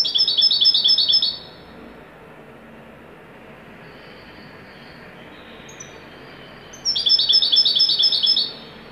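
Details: Moroccan European goldfinch of the local 'wedani' type giving a joyful, top-form song: two bursts of rapid, bright, tinkling twitter, high-pitched and fast-repeating, separated by several seconds of near silence with faint background hiss.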